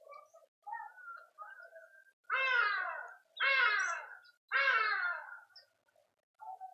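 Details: Speckled mousebirds at a feeder in a suburban garden in Pretoria, South Africa: three loud, harsh, buzzy calls, each under a second and sliding downward, with softer twittering notes in between.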